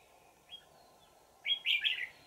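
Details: Red-whiskered bulbul from the mountain forest, a wild bird with a bell-like voice, during decoy trapping on 20 December 2018: a faint thin whistle, then a loud burst of rich, rolling whistled notes, over low hum.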